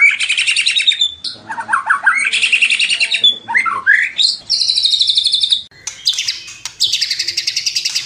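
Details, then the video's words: Murai batu, the white-rumped shama, singing a lavish isian-filled song: a varied medley of rich whistles, quick rising slurs, chattering trills and high ringing phrases delivered loudly with short gaps. "MURAI GACOR BONGKAR ISIAN !!! MURAI BATU ISIAN MEWAH FULL TEMBAKAN"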